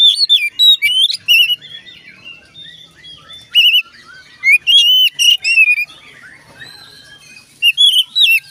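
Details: Oriental magpie-robin singing to set off other magpie-robins: loud bursts of whistled, warbling and trilled phrases with short pauses between groups, some notes sweeping up and down.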